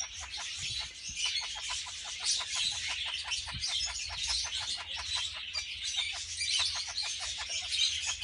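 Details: Red-fronted parakeets (kakariki), a closely bonded captive pair filmed while mating; dense, high, scratchy chattering with fast rhythmic ticking pulses, about several per second, running steadily throughout.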